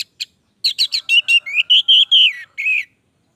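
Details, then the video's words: Caged orange-headed thrush in vigorous, long-running song: a pair of short high notes, a pause, then a run of about ten clear whistled phrases near mid-high pitch, each slurring and dropping slightly, in a quiet background. "Anis merah gacor durasi panjang"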